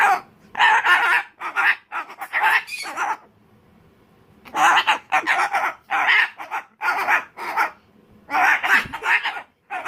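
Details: Umbrella cockatoo in a tantrum, screaming in loud grating bursts grouped into bouts of several calls, with a pause of about a second and a half midway before the ranting resumes.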